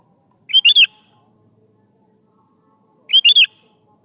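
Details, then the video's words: Sooty-headed bulbul in lively song, played to lure young bulbuls into answering and singing. Two short bubbly phrases of three quick chirpy notes each, about two and a half seconds apart, with quiet background between. "SUARA BURUNG KUTILANG GACOR"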